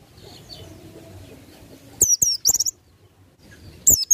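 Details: White-eye in the ngalas nembak style for tutoring birds: after a quiet start with low background hum, two bursts of high, sharp, twisting chirps, then one more brief phrase.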